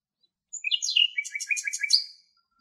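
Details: Singing common nightingale in Greece: a single phrase opening with a high whistle, then swooping notes and a rapid, chattering series of repeated notes ending on a drawn-out whistle; background silent.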